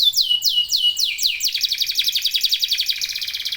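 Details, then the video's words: Local canary in full song among several singing birds: three slow, drawn-out downward-sliding whistles, then a rapid, even trill of short descending notes at a high pitch. "KENARI LOKAL GACOR TOTAL, SEMUA IKUTAN BUNYI"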